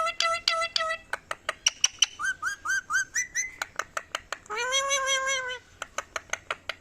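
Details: Rose-ringed parakeet talking: a rapid run of short, clear harmonic notes, some sliding upward, broken by sharp clicks, with one longer arched note about two-thirds through and further clicks at the end.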